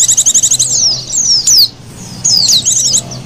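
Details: Oriental white-eye lure sound opening with a rapid series of high clipped chirps, then long thin downslurred whistles and a short twittering burst.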